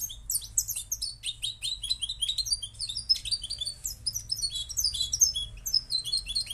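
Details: Moroccan goldfinch singing: a rapid, continuous twittering of bright, high chirps and short trills, with notes tumbling up and down without pause, over a faint low hum.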